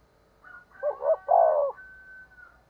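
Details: Single cooing phrase from a spotted dove used to lure wild doves: soft lead-in notes, a clipped double note, then a full drawn coo, with a faint steady whistling tone running alongside.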